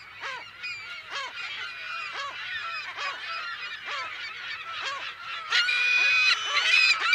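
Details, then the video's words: California gulls calling in a colony, recorded close to mid distance in mono: a dense stream of harsh, harmonic, down-curving squawks, several each second, from many birds at once, swelling louder near the end. "California Gull / CU - MP Calls In Colony"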